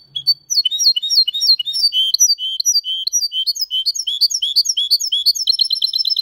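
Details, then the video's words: Goldfinch × canary hybrid singing loudly in Malaga style: an unbroken, varied run of bright whistled and chirped syllables, some sliding, shifting into a very fast, even rattling trill at the end. "Mixto de Jilguero Cantando Limpio (Video HD)Mulet de Chardonneret X canari /hybrid goldfinch singing"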